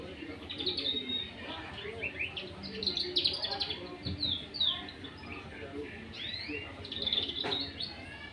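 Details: Canary aged two months learning to sing: scratchy, irregular twittering of short chirps, upward slurs and quick trills, uneven in rhythm, with a brief low thump near the fourth second.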